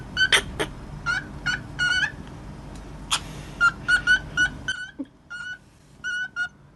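A cockatiel imitates speech in a string of short, nasal, whistled syllables, bunched in quick twos and threes, with a couple of sharp clicks in between.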